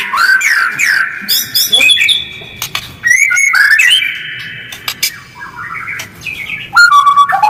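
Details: White-rumped shama giving harsh, fast calls with tight gaps, meant to provoke other birds to respond: varied whistled slurs and sharp clicks and rasps, with sudden loud bursts and short pauses.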